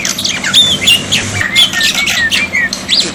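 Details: Tutor recording of a black-winged myna for water therapy: scratchy squawks alternating with clear slurred whistles that slide up and down, packed closely together, with a faint background hum.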